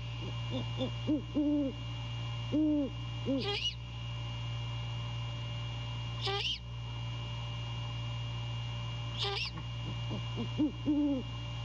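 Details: Great horned owl male calling to his mate at the nest, night of 15 January 2022: clusters of deep hoots at the start and end, with three harsh screeches evenly spaced about three seconds apart between.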